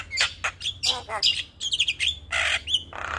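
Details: Black-winged starling, white-eyed type, singing a full varied song used as a morning training recording: loud harsh squawks, buzzy bursts and short whistled notes in quick succession, with a low hum behind.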